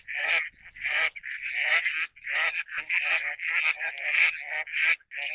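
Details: An Eastern spot-billed duck (Anas zonorhyncha) gives a run of harsh, nasal quacks, several each second, some drawn out, with only short pauses between them.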